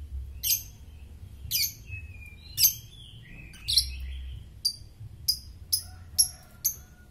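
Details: Oriental magpie-robin (kacer) in superfit condition, kept as a master singer: quieter sharp, clicking high notes spaced about half a second to a second apart over a steady low hum.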